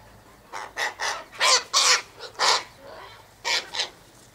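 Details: Sulphur-crested cockatoos (Cacatua galerita), a wild flock eating sunflower seeds, wheat and birdseed mix by an eastern gate; series of harsh, grating squawks, short and repeated in uneven clusters, some louder and longer.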